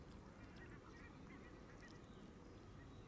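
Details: Canada geese in a flock feeding on green grass at the water's edge, recorded up close by a camera left among them; short honks sound over a steady rumbling background.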